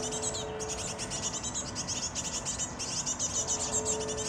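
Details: Fledgling great tits begging while parents feed them, producing dense rapid high-pitched buzzy chirps nearly nonstop, a short pause near the start, over a constant background hum.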